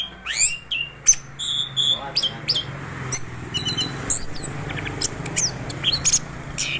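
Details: Orange-headed thrush, known locally as anis kembang, singing energetically in a rolling style, with varied whistled phrases, rising sweeps and sharp high notes in quick succession over a low steady hum.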